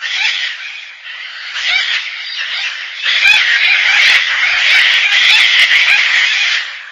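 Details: Gang-gang cockatoo (Callocephalon fimbriatum), call.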